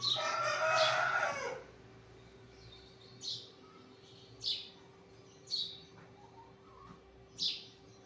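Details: Morning sparrow chirping: a loud burst of broadband noise at the start, then single short downward chirps spaced about a second apart against a steady low hum.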